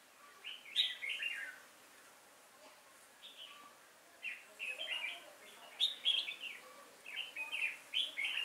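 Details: Caged decoy red-whiskered bulbul singing to lure wild bulbuls into a trap, recorded 5 October 2018: bright warbled phrases in quick bursts, a short pause, then a denser run of rising and falling notes, with faint voices behind.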